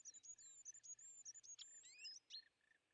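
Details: European greenfinch near a winter feeder, where it drives off tits, sparrows and nuthatches; high chirps and twitters run over a steady series of lower short pulsed notes, fading at the end.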